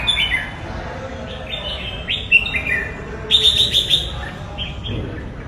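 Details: Red-whiskered bulbul song of several short whistled bursts, a few sliding downward, then a fast run of sharp chirped notes midway, with quieter phrases trailing off amid steady background noise.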